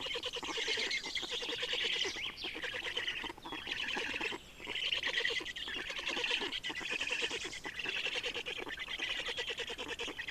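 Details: Estonian black storks at feeding time on 30 May 2019 at 10:27. Harsh, wheezing, raspy calls come in rapid pulsed bursts, running nearly continuously with brief pauses every couple of seconds.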